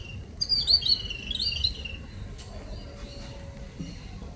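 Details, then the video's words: Little birds visiting in the morning: a quick two-second flurry of thin, high chirps, then near quiet with faint background hiss. "Birds sound/birds sound effects/little birds sound/morning visitors/cute birds/little birds/chittu"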